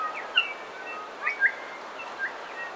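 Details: A bellbird sings close up in a coastal dawn chorus. Three loud, bright, bell-like notes stand out, each with a short upward twist, among fainter whistles, over quiet background hiss.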